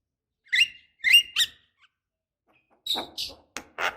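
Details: Female black-winged starling calling males, a lure for young birds: three squeaky rising chirps, a pause, then rough harsh squawks.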